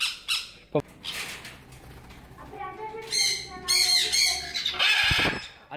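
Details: In a parrot house where visitors hand-feed inquisitive, friendly parrots, including sun and jenday conures, harsh grating squawks come in several bursts, loudest near the end, with people talking quietly nearby.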